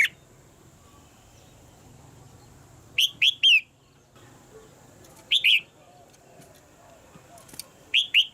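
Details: Red-whiskered bulbul female, caged, calling to stimulate a male's singing: short groups of two or three clear rising whistles separated by pauses of a couple of seconds, with a steady faint hum behind.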